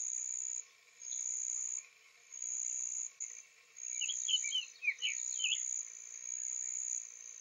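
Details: Soft singing from a male Summer Tanager just back from migration, Lafayette County, Florida, April 3, 2023, morning; one brief run of quick slurred notes mid-clip, with a pulsing high insect drone throughout.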